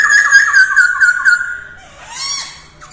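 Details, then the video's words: Short burst of masked laughingthrush song during early-morning voice training: a rapid trill of clear whistled notes followed by a quieter, harsher sliding note. "Khướu hót luyện giọng mỗi ngày vào sáng sớm mái ro ro | Masteran Poksay hongkong"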